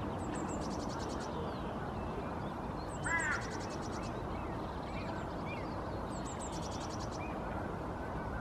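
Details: Hooded Crow (Corvus corone cornix) female vocalizing softly while sitting in her nest: one rough, harmonic call partway through, with a small songbird's high trilled phrase repeating three times and steady background noise.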